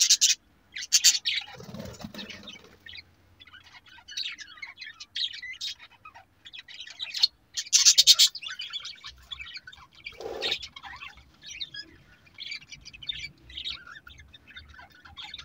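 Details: Several pet budgerigars (Melopsittacus undulatus) in a home setup chirp and chatter in high, scratchy bursts, with a few louder squawks breaking through.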